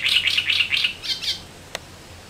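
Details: Great reed warbler on the Elbe river in Germany, a run of six harsh, croaking notes in quick succession, then a pause broken by a single sharp click.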